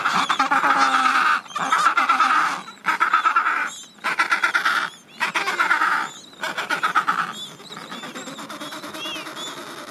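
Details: Adélie penguin colony at summer's end, with thousands of birds and young shedding their last chick down before their first swim. Loud, harsh braying calls come in pulsed bursts of about a second, separated by short pauses, over a background chorus.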